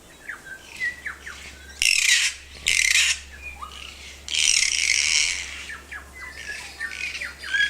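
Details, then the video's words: Endemic New Zealand kaka parrot at Tawharanui Regional Park, Auckland, giving loud rasping squawks, two short bursts then a longer grating one, interspersed with thin upslurred whistles and faint chirps; steady low hum underneath. "Kaka カカの鳴き声"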